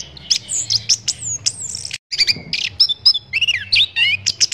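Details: Training recording of Orange-headed thrush song: rich, varied phrases of high sweeping whistles, downslurs and warbled loops, with a brief cut in the middle; low hum beneath.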